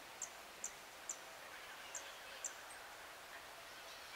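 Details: Blue-and-yellow Tanager, recorded at 7:13 AM on 26 April 2022, giving five very high, thin, sharp notes at uneven intervals over about two and a half seconds, against a steady background hiss.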